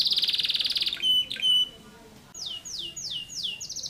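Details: Canary singing persistently in the dense-shot style called tembakan rapat: a rapid buzzy high trill for about a second, two brief pure whistles, then a run of five quick sweeping descending notes ending on a steady high note.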